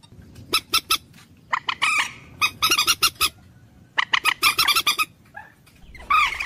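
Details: Common moorhen calling with sharp, separated clucks and a few longer, grating notes in clumps, with quiet gaps between bursts.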